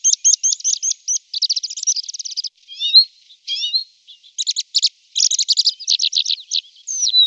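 Tree pipit singing: high, fast runs of dry repeated notes, each phrase rattled off several times before switching, with a few thin slurred whistles between.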